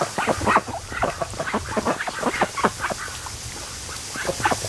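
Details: Domestic ducks, ninety-two days into being raised, resting and sleeping at a creek mouth on a lake one sunny afternoon; dense chatter of short, rasping quacks from several birds, tapering off toward the end.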